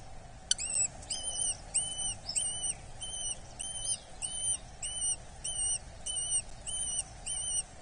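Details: At a Dorset nest on 8 July 2024, a hobby chick (Falco subbuteo) calls during feeding with insistent piping whistles, each slightly arched, repeated about every half-second after a sharp click, over soft background hiss.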